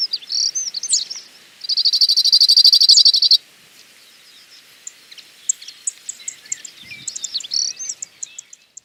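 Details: Cirl bunting, singing from an open perch to attract a female or defend territory: one fast, high, dry rattling trill lasting under two seconds, surrounded by scattered high chirps and whistles from other birds.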